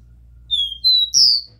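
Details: Pure 'Dó Ré Mi' song of a copper seedeater, played to stimulate a captive bird: after a brief quiet, three clean whistles rise in steps, each higher than the one before, with the final note strongest.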